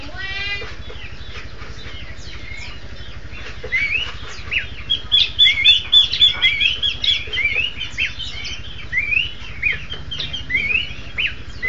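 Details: Horsfield's babbler duet: after a few quiet seconds, a dense run of sharp whistled notes begins, with rising and falling slurs and quick overlapping phrases from more than one bird, over a steady low electrical hum.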